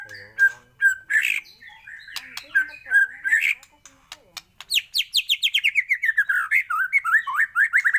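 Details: White-rumped shama, morning trigger audio: warbled mid-pitched whistles and clicks at first, then an accelerating string of crisp, high, downslurred notes running into a lower chattering sequence.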